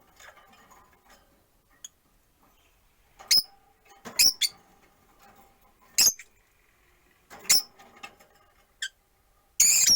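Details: Scattered sharp high chirps from rosy-faced lovebirds, four kept caged beside a window, come every second or two over a low hum of room and street noise, ending in a louder burst.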